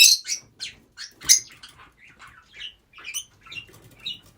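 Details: Rosy-faced lovebirds, several kept together, make a string of short high chirps and squeaks about every half second, louder at first, then softer, uneven chatter.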